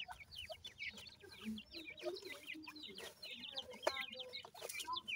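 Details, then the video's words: Francolin chicks with their family give many overlapping high, thin peeps, each sliding downward, in a busy continuous chorus. A few lower soft notes and faint background rustle run beneath them. "baby teetar with family,pheasant baby voice"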